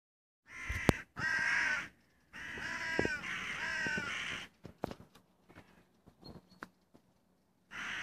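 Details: A crow recorded on 25 June 2017, giving long, harsh, drawn-out caws with rich harmonics, three extended calls in the first half followed by scattered clicks and knocks, and another caw starting at the end.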